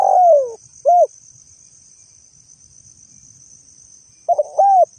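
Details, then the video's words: Spotted dove used as a lure call, a low cooing phrase then a short coo, silence, and a two-part coo at the end; steady high insect-like hiss in the background. "pikat tekukur ‼️ suara asli burung tekukur cocok dijadikan suara pikat"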